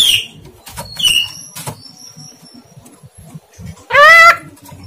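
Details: Javan myna attempting to talk, its words not clearly formed. A few thin whistles and clicks come first, then one loud, hoarse, harmonic vocal burst near the end, slightly rising, over quiet room noise.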